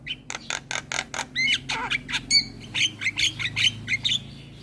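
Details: Chatty Javan myna giving rough, rasping squawks in a steady series about three per second, some ending in short bright whistled notes.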